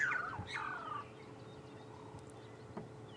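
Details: Burchell's starlings on a lichen-covered branch during a sunset safari drive on November 26, 2014, give a loud, gurgling, downward-slurred call in the first second, then quieter scattered notes over a faint steady hum.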